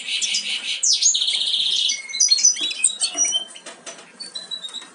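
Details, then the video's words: Almost-fledged European goldfinch chicks give a long buzzy, wheezy call, then scattered high chirps and short whistled notes that fade toward the end. "Jilgueros casi listos para saltar del nido"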